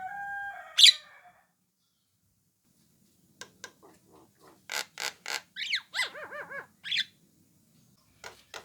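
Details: Orange-eyed Javan myna giving its typical call, used to lure other mynas into answering: one harsh scratchy burst, a pause, then a string of rasping broadband notes and a quick run of descending whistled notes, ending in sparse clicks.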